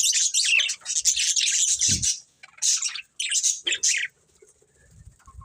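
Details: Budgerigars, a pet breeding pair, chirping in short bursts of dense, scratchy high twittering with brief pauses between phrases and a few low thumps.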